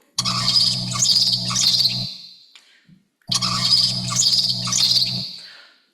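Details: Zebra finch (Taeniopygia guttata) song from a lab bird tutored with 50-millisecond pulses: two bursts, each about two seconds, of fast buzzy trill with rapidly repeated notes over a low nasal hum. Zebra finches don't normally trill.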